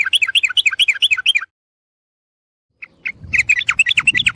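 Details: Sooty-headed bulbul sound for luring birds: fast, bubbly chattering run, a second of silence, then renewed lively chatter with some low background noise.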